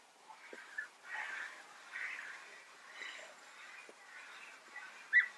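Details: European bee-eaters trading contact calls, one answering another's rolling "prüt": soft, burry, mid-pitched notes repeated roughly once a second, fairly distant, against a faint background hiss.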